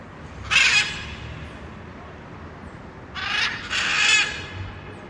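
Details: Blue-and-yellow macaw in the wild, giving harsh, raucous screams: one short scream early, then two longer grating screams close together near the end, over a steady background hiss.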